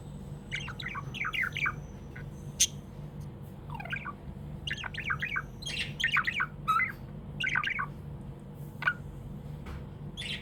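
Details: Cheerful chattering from a pet budgie: scattered short chirps and scratchy squeaks in loose groups, sometimes several close together, with a faint high whistle-like tone and a low steady hum in the room.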